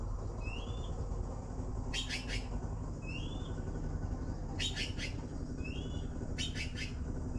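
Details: Blue magpie chicks begging for food: three groups of rapid, coarse, noisy pulses roughly every two and a half seconds, interleaved with brief clear rising whistles over persistent low-frequency background noise.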